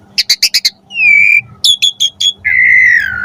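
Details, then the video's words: Asian pied starling singing for training pet birds: five quick bursts, a long level whistle, a series of sharp chirps, and a long slightly falling whistled note. "Suara Jalak Suren Gacor Full Variasi"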